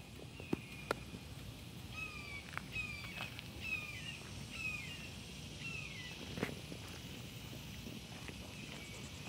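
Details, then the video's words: A Red-shouldered Hawk gives a series of about seven clear, downslurred 'kee-ah' screams, roughly one every half second, over low rumbling background noise and a few sharp clicks. "red shouldered hawk call"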